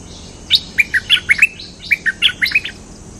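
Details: A Cream-vented bulbul lure song in two short phrases of bright, slurred whistled notes, each phrase six or seven quick chirps, separated by a brief pause, in a quiet background.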